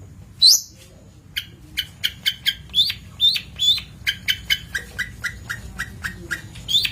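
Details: Long-tailed shrike on a training master recording: one sharp, high, rising note, then a rapid chattering series of short clipped notes, around three per second, with occasional higher whistles mixed in.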